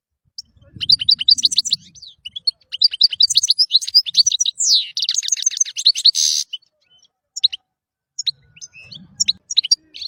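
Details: Lively European goldfinch masteran song: rapid runs of high chirps, a descending slur, a harsh buzzy burst, then sparse scattered notes and brief low rumbling.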